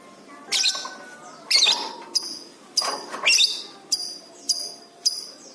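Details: Lovebird in full song, used as training material for pet birds: harsh, scratchy bursts alternate with short, sharp high clicks, each roughly half a second to a second apart, with soft lower tones in the background.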